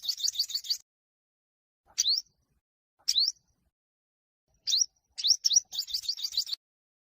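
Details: Olive-backed sunbird singing a fighting song meant to provoke rivals to sing. It opens with a quick trill of high notes. After a pause come single sharp upslurred chirps spaced over a second apart, then a final rapid burst. No background noise.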